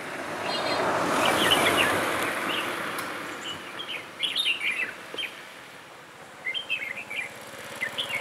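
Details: Red-whiskered bulbul, a trainee decoy bird on its first trapping outing on 11 December 2016, luring wild bulbuls; after a stretch of broad rushing noise, short warbled, chirpy phrases come in bursts in the second half.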